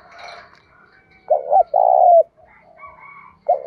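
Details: Spotted dove singing in the 'đồng pha' style to urge rivals into combat. One full low coo phrase, a clipped pair followed by a long even note, sits amid soft fainter murmurs, and a second phrase begins as the recording ends.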